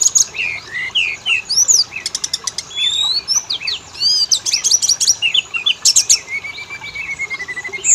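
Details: Oriental magpie-robin song used as a lure to make males and females sing: a varied, rich medley of high whistled slurs, rising and falling notes, and rapid buzzy rattles packed tightly together.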